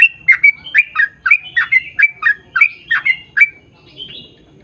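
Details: Yellow-vented bulbul rattling off a fast chain of bubbly chirps meant to lure others of its species into song, fading to a single thin note at the end.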